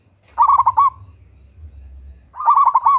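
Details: Local zebra dove, a female calling a male, used as a lure for zebra doves and noted for a loud voice and vigorous calling: two bursts of about five quick, rolling, pulsed coo notes, separated by a pause of about one second, over a low rumble.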